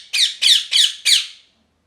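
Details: Four sharp, harsh parrot squawks delivered evenly about three per second, each loud and raspy and trailing off, with a quiet room behind.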